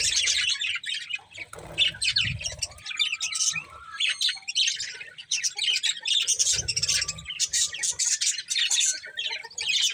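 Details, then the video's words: A breeding pair of budgerigars warbles busily throughout, with raspy, fast-changing high chatter, a couple of short whistled tones and dull low thumps in the background. "Beautiful Budgies Chirping Sounds"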